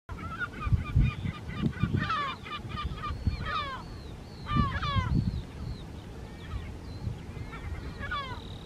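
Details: Lesser black-backed gulls, a pair near their breeding colony on Rottumerplaat, the Netherlands, 3 June: harsh laughing notes in rapid series with descending yelps, other gulls calling behind, and low wind rumble throughout.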